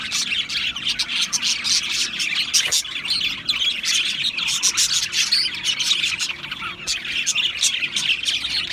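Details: Australian parrots twittering busily, quick warbling chirps and thin whistles overlapping into a continuous bright chatter, with a couple of sharp clicks standing out.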